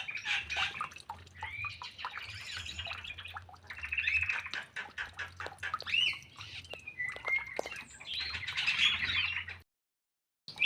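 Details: White-rumped shama in an aviary it has just adapted to, delivering a varied stream of slurred whistles, chattering bursts and sweet notes over a low background hum, ending in brief silence.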